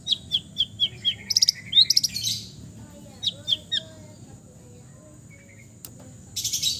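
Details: Relaxed East Javan long-tailed shrike song packed with fills: quick series of high clipped notes, a burst of buzzy rasping phrases, a pause, more chirps, then a harsh scratchy flourish at the end.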